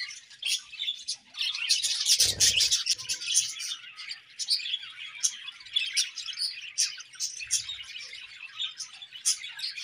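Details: Chirping from several pairs of budgies: a steady wash of quick high chirps and warbles, with a louder burst and a low thud around two seconds in.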